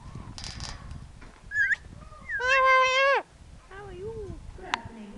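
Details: Parrot at Nowra Wildlife Park giving a harsh, harmonic-rich drawn-out call and brief squeaky whistled notes amid background chatter and clicks.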